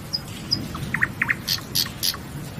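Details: Nightingale song: a few high thin notes, then paired looping whistles followed by louder, harsher high bursts, over a soft steady low background hiss.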